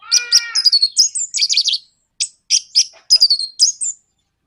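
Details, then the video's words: Orange-headed thrush nraktak konslet song used to spur other birds into singing: opens with a harmonic nasal whistle, then dense high twittering phrases, a short pause, and several quick chirpy bursts spaced about half a second apart. "PANCINGAN NRAKTAK KONSLET ANIS MERAH BIKIN GACOR ATASI SUSAH BUNYI"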